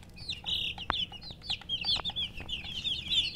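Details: Chicken chicks chirping: a busy stream of high, downward-slurred peeps overlapping from several birds, with scattered clicks and knocks in the background.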